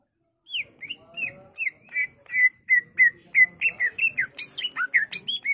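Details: Energetic greater green leafbird (cucak ijo) song for luring and training birds: a run of slurred whistled notes, each dipping and rising, speeding up into a dense tangle of high chips and twitters.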